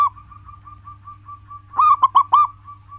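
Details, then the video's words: Soft, quiet coos from a local zebra dove repeat steadily, then four loud, rich cooing notes burst out near the end. Kept as a tutor song to get pet doves singing. "Masteran perkutut lokal gacoran, pancing dengan suara ini agar perkutut jadi gacor"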